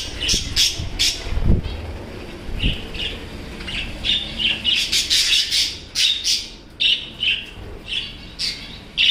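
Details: A female cockatiel's newly hatched chick in a cage gives harsh, rasping squawks and chirps repeated in quick bursts every half second or so, with faint low rumbles and thumps underneath; cockatiel calls.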